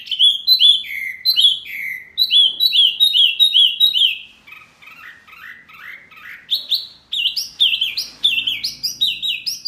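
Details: Indonesian masteran training song for caged birds like Murai, Kacer, Cucak ijo and jalak: loud downslurred whistles in quick series, a softer twittering middle stretch, then bright rising-and-falling notes repeated rapidly.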